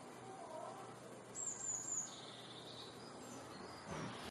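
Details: Eurasian blue tit (Cyanistes caeruleus) song: a brief burst of very high, thin notes, followed by a softer, lower sliding note, over steady background hiss.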